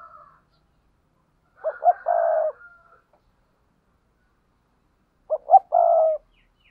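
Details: Paired cooing of spotted doves. Two phrases of short stuttered notes and long low coos come about three and a half seconds apart, and a second, slightly higher coo overlaps the first phrase.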